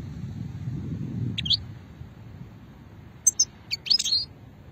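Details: Moknin, or European goldfinch, from Hammam Guergour, Sétif, Algeria, 2020, in the old "shetla" song style: after a quiet opening a single chirp, then a quick cluster of sharp high twittering notes near the end.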